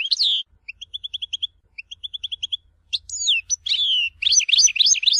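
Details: European goldfinch singing the Tizi Ouzou song, a treasured Algerian style: a down-slurred note, two runs of rapid evenly spaced pips, then fast twittering phrases with sweeping whistles.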